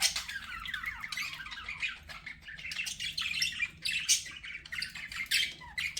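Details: Pet budgies warbling steadily, a busy mix of soft buzzy trills, short whistles and clicking squeaks running without a break.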